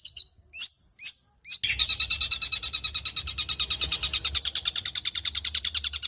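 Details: A caged long-tailed shrike gives three spaced, piercing notes, then breaks into a rapid, even rattle of harsh pulses that goes on for more than four seconds, loud and close.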